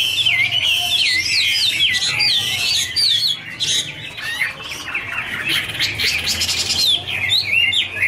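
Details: Chinese hwamei (Garrulax canorus) duetting, singing a loud, rich warble of looping, slurred whistles that rise and fall without pause, with more than one bird apparently joining in.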